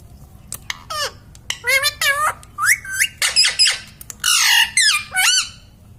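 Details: Indoor pet parrot that talks, reportedly saying mummy and papa, producing a fast sequence of raspy, tonal word-like syllables rising and dipping in pitch, with brief gaps and faint tapping between phrases.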